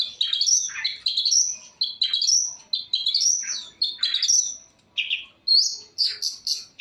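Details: Long-tailed shrike, full-variation singing: choppy, repeated high chirps and quick whistled slurs about twice a second. They come in steady bursts, ending with a run of sharper, more scattered notes.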